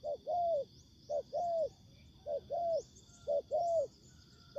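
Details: Spotted dove decoy in ground trapping meeting wild birds outdoors: short coo plus long arched coo in repeated pairs, with faint high chirps of other birds above.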